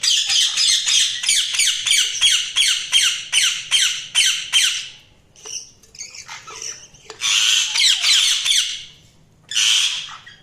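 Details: Budgerigars chirping in a rapid run of harsh, scratchy squawks, repeated nearly three times a second, then breaking into looser bursts of grating chatter with short silences between.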